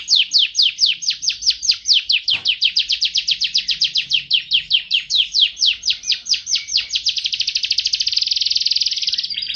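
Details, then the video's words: Canary delivering a long series of clear downslurred whistles at a steady pace, gradually quickening into a fast buzzing trill at the end. "Suara Burung Kenari"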